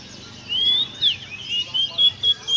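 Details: An Indonesian white-eye sings energetically: long thin high whistles, one bending downward, followed by a run of short, loud, evenly spaced whistled notes over faint background twittering.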